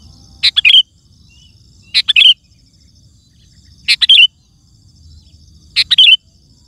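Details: Sooty-headed bulbul in full voice, a recording for calling wild birds and training caged ones: four short gurgling phrases, each a quick run of warbled notes ending on a falling slur, spaced nearly two seconds apart.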